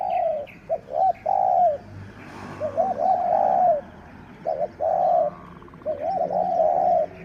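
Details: Captive spotted dove, the sixth caught, used as a lure for wild doves. It gives repeated coo sequences of clipped introductory notes leading into longer, smoothly wavering coos, with soft chirping in the background.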